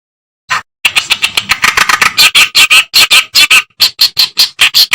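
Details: Reed warbler singing, recorded as master material for tutoring cage songbirds: one rasping note, then a dense, rapid burst of harsh chattering that loosens into evenly spaced, scratchy notes.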